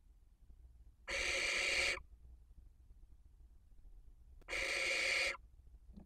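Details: Barn owls at a nest webcam in Cabañeros National Park, Castilla-La Mancha, Spain, during the 2023 breeding season, giving two harsh, breathy hissing screeches, each almost a second long and about three seconds apart, over a quiet background.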